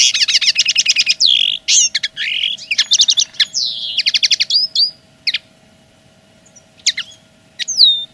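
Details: Linnet singing to claim territory: fast repeated trilled notes, slurred whistles and buzzy chatter in a dense opening stretch, then quieter after five seconds with scattered sharp upslurred calls; steady low hum present.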